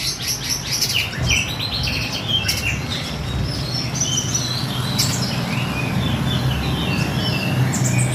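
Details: Mountain spiderhunter singing a run of thin, high twittering chirps and brief whistles, scattered unevenly over a steady low hum of background noise.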